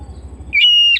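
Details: Oriental magpie-robin kept at home gives a single loud, pure whistled note framed by short sharp chips, after a low pulsing mechanical hum.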